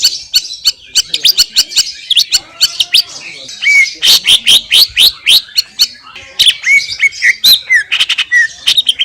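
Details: Greater green leafbird singing in the wild in Indonesia, a long run of rapid sharp chirps, buzzy notes and whistled upslurs delivered in dense bursts with brief gaps.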